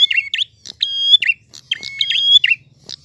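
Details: Short burst of prinia song: two phrases of sharp chirps followed by a long, bright sustained whistle, with a faint low hum underneath.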